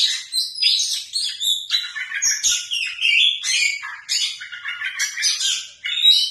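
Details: Oriental magpie-robin singing in a showy style: a continuous stream of varied high, scratchy and whistled phrases in short bursts with brief dips between them.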